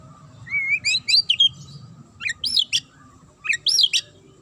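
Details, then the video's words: Magpie-robin delivering a sharp provoking song for other birds to answer: a wavering whistle followed by clusters of steep, high, ringing chirps repeated in short bursts. "DIJAMIN Langsung NYAUT dan NGAMUK Pake Suara TAJAM Murai ini"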